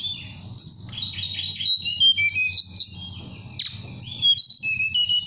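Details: Caged mountain tailorbird from Central Java's Purworejo calling a female in flute-like nyuling style: clear level whistles, a burst of rapid high notes, then falling and rising pure tones over a low hum.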